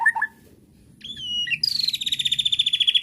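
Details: White-rumped shama bait song meant to provoke another bird into replying: a few short low whistles, a pause, a sustained high whistle, then a fast pulsing trill on one pitch for over a second.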